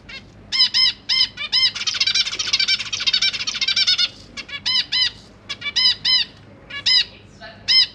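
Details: Young zebra finches begging as parents feed them inside a cage, three juveniles and three newborns present; loud nasal trumpeting calls repeated in pairs, interrupted by a fast two-second run of rapid wheezy notes, then more spaced calls.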